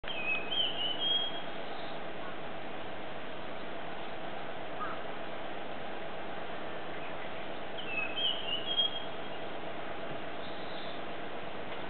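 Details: Japanese grosbeak song, recorded with a digital camera: two short bursts of clear, high whistled notes, one near the start and another around eight seconds, separated by a long gap over a steady low background hum.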